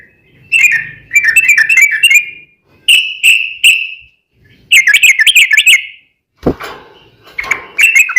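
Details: Sooty-headed bulbul singing as a lure to make other bulbuls respond: chattering warbled phrases and drawn-out slurred notes separated by pauses, with one sharp knock near the end.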